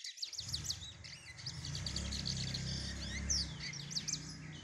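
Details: A warming-up brown Lined Seedeater pours out a dense series of high, looping whistled and chirped notes, repeated rapidly without pause, while a loud low rumbling hum runs beneath.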